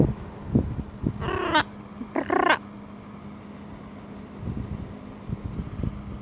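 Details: Pet bird outdoors in sunlight making macaw-like noises: two harsh, raspy squawks about a second apart, each lasting under half a second, with a steady low hum and some handling knocks in the background.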